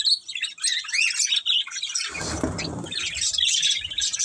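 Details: Pet budgerigars in a family group chirping with rapid high warbling and rising squeaks; halfway through, a short burst of broad rustling or flapping noise, then the chatter resumes.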